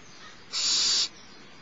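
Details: Starr Ranch barn owls, 6 March 2011, mid-morning: the littlest owlet begging as the mother feeds it, giving a single harsh, even hiss of roughly half a second.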